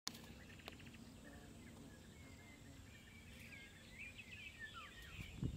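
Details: European bee-eaters in the Soča estuary nature reserve on 1 June 2023 give a few faint, rolling, liquid 'prruip' calls in the second half, over a steady low rumble of wind.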